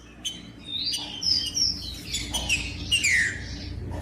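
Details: Green-winged saltator in a cage singing to motivate other birds: sustained high whistles followed by slurred notes falling in pitch, against a low hum.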